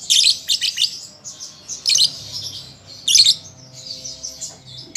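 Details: Juvenile lovebird practising its song, meant to prompt caged birds to reply: sharp squeaky chirp bursts at irregular intervals over a steady, buzzy, high twittering.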